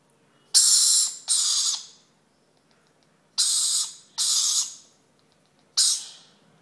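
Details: Hand-fed green-naped lorikeet chick begging with five rasping, hissy screeches in uneven bursts, two close pairs and a last single one, each about half a second long, in a quiet room.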